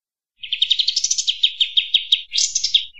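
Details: Kapas tembak bulbul master song for training cage birds: a burst of rapid chattering notes slowing to separate sharp chirps, then a final fast warbled flourish.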